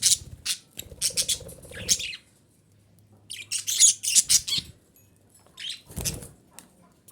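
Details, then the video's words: Female budgerigar vocalizing to stimulate breeding, with clusters of scratchy, high chirps in quick runs separated by short pauses, a softer warbled phrase midway and a low hum beneath. "DİŞİ Muhabbet Kuşu Sesi - Muhabbet Kuşu Kızıştırma"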